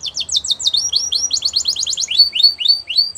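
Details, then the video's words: Wild canary song made of quick repeated downward-sweeping whistled notes, about four per second, changing note type midway into longer slurred phrases. "Melodies Canary In The Wild"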